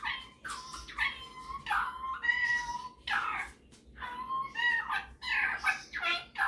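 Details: A captive male Superb parrot shows off his singing and mimicking with a rapid stream of harsh, harmonic chattering syllables, some drawn out and wavering, delivered almost without pause.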